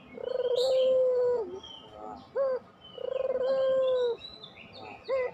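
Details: Pelung-style puter dove song used as a lure to get quiet doves singing: a low pulsed roll leading into a long steady coo, then a short sharp rising note. The pattern repeats about every 2.5 seconds, with faint high chirps from other birds.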